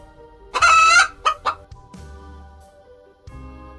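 A chicken gives a loud, harsh squawking cluck followed by two short clucks over soft music.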